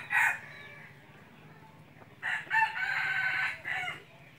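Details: Hunting decoy red junglefowl gives a brief call, then after a pause a longer rough crow lasting over a second, with a steady low hum and distant voices.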